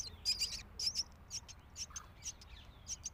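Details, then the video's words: Feeding time for a loud hungry myna chick: shrill, scratchy begging notes in an irregular fast series, with quiet gaps between bursts and little else heard. "Myna bird Feeding Its Loud Hungry Chick"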